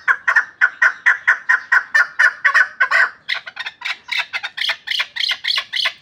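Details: Pamir chukar partridge kept as a hunting bird gives a fast, rhythmic series of clucking chuk notes, about two a second and evenly spaced, then shifts into higher, harsher, rasping chatter that keeps the same pulsing beat.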